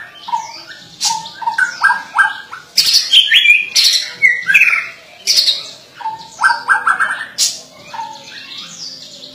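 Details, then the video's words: White-rumped shama (murai batu) in energetic gacor singing: a varied run of whistled notes, sharp chirps and clicking bursts, with quick high slurred phrases and repeated lower whistles. It is steady and busy throughout. "Murai Batu gacor chirping"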